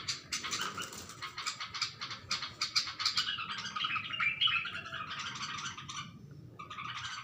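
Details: Bulbul indoors reacting to its own reflection in a mirror, giving rapid, scratchy chirps and squawks repeated several times a second, bursts rising and falling, with a faint room hum beneath.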